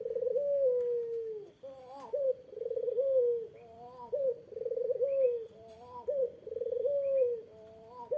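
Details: Barbary dove giving coos meant to provoke a rival into answering: low, rolling, wavering phrases of several notes each, repeated about every two seconds. A brief click and faint higher notes break in now and then.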